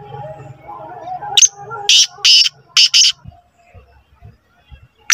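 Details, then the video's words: Black francolin calling repeatedly while standing in one spot: four loud, harsh, rasping bursts in quick succession, each about a third of a second, after a man speaks briefly at the start; faint low thuds follow. "Kala tetar 1 mint me 7 awaz"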